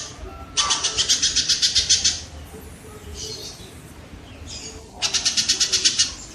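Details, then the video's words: Two bursts of fast, grating, repeated notes from a kingfisher, each lasting about a second and a half, separated by quieter faint chatter; the recording is meant for teaching captive songbirds. "suara burung tengkek"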